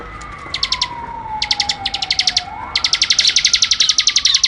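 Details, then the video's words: Bar-winged prinia in energetic tutor song: groups of rapid high chirps building into a long continuous run, about four notes per second, with a faint siren sweeping behind. "masteran suara ciblek gacor"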